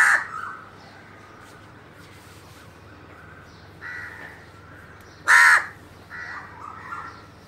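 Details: Crow giving harsh, raspy caws, about four spaced over several seconds, the loudest and strongest coming near the end, over a quiet background hum.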